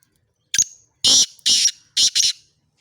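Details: Sindhi black francolin in an excited mood: one short sharp note, then four loud, harsh, grating bursts, each about a quarter second long, in a quick rhythmic phrase. The background is otherwise silent.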